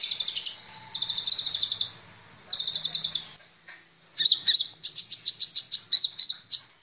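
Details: High, rapid buzzy trills from a sunbird (kolibri ninja), recorded as training material for cage birds, come in three short bursts, then a run of sharp chirps repeated several times a second.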